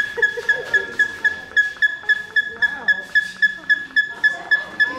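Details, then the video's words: A captive male Buff-crested Bustard in a zoo's African savanna aviary, calling as he does almost every visit, gives a steady run of sharp, dry clicking ticks, nearly four per second, with faint human voices behind. "Buff-crested Bustard (There he goes again)"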